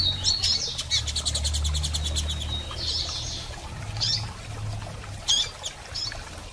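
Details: Female double-collared seedeater (coleiro) calling and chirping a lot, used to encourage a male to start singing after moult. A rapid burst of high chirps is followed by scattered short notes over a steady low hum and noise.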